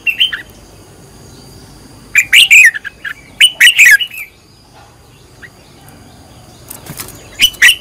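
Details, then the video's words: Short, loud, warbling phrases from a red-whiskered bulbul trained as a decoy singer in căng lửa style, with a brief opening note and two dense chirping bursts, then a pause and a closing phrase. "Cách luyện chào mào mồi - căng lửa| luyện chào mào thành mồi, luyện giọng chào mào hót hay"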